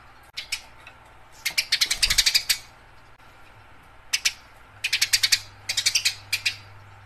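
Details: Eurasian tree sparrow in fighting chatter, loud, buzzy chirps delivered in quick clusters, a long volley near two seconds and two tight bursts later, with a soft low hum in the background.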